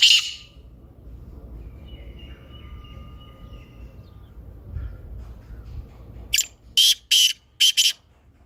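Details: Black francolin calling: after a long near-silent stretch, a closing run of five harsh, grating bursts, each short and rasping, delivered in quick clipped groups; a faint whistle hangs low in the background.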